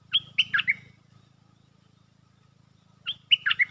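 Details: Caged stripe-throated bulbul used as a lure bird, singing two short bubbly phrases of four to five quick warbled notes, about two and a half seconds apart, over a faint low hum.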